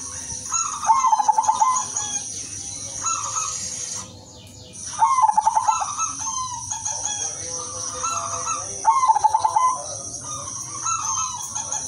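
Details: Zebra dove of the udanmas silver type in full melodious song meant to draw in other doves. Several coo phrases come every few seconds, each with a rapid series of clipped pulses, and a steady high-pitched hiss runs behind them.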